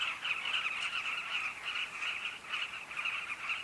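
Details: Carmine bee-eaters calling together at a breeding colony at a safari camp, a dense, continuous chatter of overlapping rolling calls that holds steady throughout.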